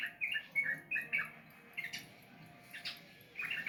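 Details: Sooty-headed bulbul giving short, separate whistled chirps at a steady pace, then a few scattered notes and a closing chattering phrase.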